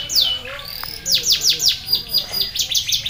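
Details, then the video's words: Caged competition-winning canary singing a song filled with bar-winged prinia (ciblek) phrases. High, sharp downward-sweeping notes in quick series, a whistled descending slur, steady low hum behind. "kenari isian ciblek juara"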